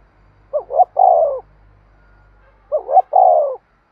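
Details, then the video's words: Spotted dove coo meant to stir decoy birds: two phrases of paired short hoots followed by a drawn-out falling coo, over a low steady hum. "tiếng cu gáy thúc sung dùng kích bổi tập mồi hiẹu quả nhất"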